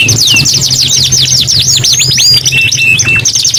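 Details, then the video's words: A canary sings rapid, high, bouncing trills followed by looping whistled notes and short flat tones, against a steady low hum. "KENARI GACOR 2 IN 1 | CANARY SINGING"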